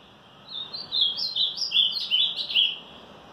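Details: A full 'batida forte' song phrase from an Ultramarine grosbeak on a March morning: roughly eight sweet whistled notes rising and falling in short steps, evenly spaced, with steady low hiss behind.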